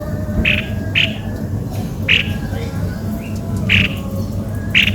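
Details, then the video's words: Cucak kopi-kopi giving short, harsh squawking notes that sound strange, repeated roughly every second, over steady low rumbling background noise and a faint hum. "ternyata begini suara burung Cucak kopi - kopi"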